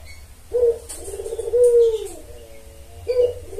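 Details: Spotted dove calls used as a lure to draw in males: soft, low hooting coos, a short note, then a longer drawn-out coo that dips and levels off, with another short coo starting near the end.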